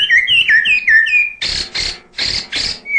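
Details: Murai batu (white-rumped shama) in energetic 'isian' song: a run of bright, descending whistled notes followed by four loud, harsh rasping bursts and a final short whistle.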